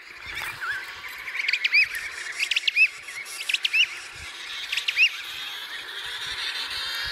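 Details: Emperor penguin chick chirping: thin, high whistled chirps repeated about once a second in loose clusters, each sharply rising, against constant airy background noise.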